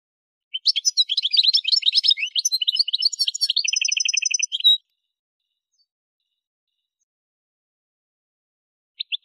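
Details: Algerian goldfinch from the Souk Ahras region, Kef El Hammam, recorded as a tutoring song for caged birds: a dense, fast run of twittering, tinkling high notes, then a steady repeated buzzy trill and one short chirp near the end.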